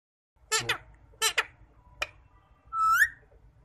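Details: A pet rose-ringed (green ringneck) parakeet talking in Urdu/Hindi utters three harsh, raspy, word-like bursts, then a clear whistle that slides up and ends in a squeak.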